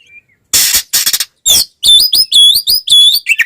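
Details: Oriental magpie-robin singing a fighting song that provokes other magpie-robins; harsh noisy rasps open, followed by repeated bright whistled notes with sharp upward and downward slides.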